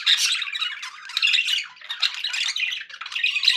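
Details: Happy pet budgies giving a short burst of scratchy, buzzing chatter with bright squeaky chirps, closely packed and lively.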